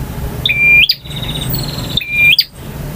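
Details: A male bar-winged prinia delivers its varied ngotot, ngalun and kristal style song: a steady whistle that ends in a quick upslur, then a buzzy trill, and the whistle again.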